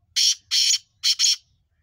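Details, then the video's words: Black francolin, called kala teetar, described as a mountain bird: four harsh, grating broadband notes delivered as two evenly spaced pairs, each note rasping and slightly buzzy, with a quiet low hum underneath. "Black Francolin kale Teetar ki Awaaz پہاڑی کالے تیتر کی آواز"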